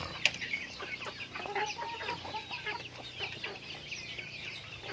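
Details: Chickens during daily activity give overlapping high chirps and a few mid-pitched clucking notes. A sharp click sounds near the start, and the general flock chatter fades slightly toward the end.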